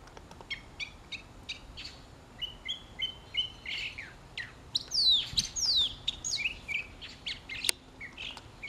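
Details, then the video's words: Mockingbird singing a morning serenade while sparrows, Inca doves, a stray cat and a parakeet feed nearby; varied phrases of chirps, buzzy notes and clear downslurred whistles, each repeated a few times before switching to a new pattern. "Mockingbird Serenade"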